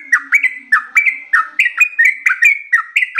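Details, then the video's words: Yellow-vented bulbul in rapid gacor song: loud, clear whistled notes sweeping up and down, tightly repeated in a fast, energetic run. "suara burung trucukan gacor ropel panjang losdol istimewa"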